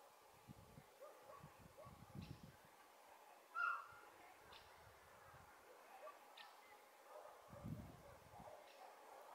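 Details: Great spotted woodpecker (Dendrocopos major) on a telephone pole in Sardinia gives a single sharp, short 'kik' call, with fainter clicks spaced through the clip over low rumbling background noise.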